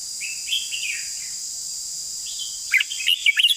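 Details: Red-whiskered bulbul giving soft, slurred whistled notes at first, then after a pause a loud, rapid run of sharp chirps and warbles, with constant high-pitched insect buzzing behind.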